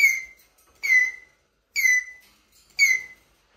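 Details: Eurasian jay, a mimic, squeaking plaintively; four squeaky whistled notes, each sliding down and leveling off, repeated about once a second with a clear overtone stack above.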